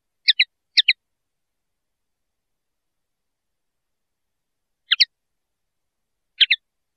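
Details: Faint, widely spaced linnet song notes, paired sharp chirps early on and two more twittering pairs after a long silence.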